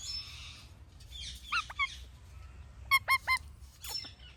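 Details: Ringneck parrot chirping naturally: a soft hiss, then two short upslurred notes, then a rapid run of three loud, clipped chirps, with a final fainter call and steady low hum beneath.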